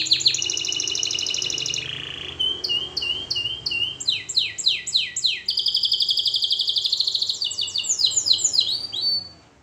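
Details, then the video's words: Training song of a canary: a fast high trill, a lower rolling phrase, then repeated downward-sweeping whistles in quick series, ending in a dense buzzy trill over a soft low background hum. "Canary Singing Birds Sounds at its best Melodies Canary Bird song Training"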